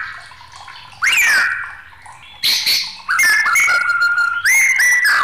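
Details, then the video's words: Agitated white-rumped shama used as a baiting and tutoring recording: loud slurred whistles sliding down, then buzzy, ringing phrases and a steady sustained whistle, each phrase starting abruptly after short pauses. "SUARA MURAI BATU NG4MUKK..MUNT4H ISIAN BRO.!!"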